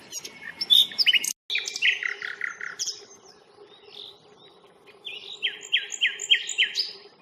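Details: Nightingale song on a nature reserve, 1 May: varied rich phrases of sharp chirps and slurred notes, then a series of loud rising-falling notes repeated about six times in quick succession.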